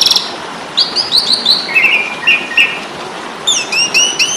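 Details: Asian pied starling, called jalak suren in Indonesia, in fighting song for caged-bird training: a series of repeated whistled phrases stepping lower, then sharp, high clicking notes near the end.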